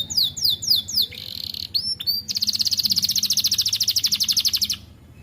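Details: Young canary starting to sing: a few high, quickly repeated slurred notes and brief whistles, then a long, even, rapid trill of identical pulses lasting about two and a half seconds before stopping, over a faint low hum.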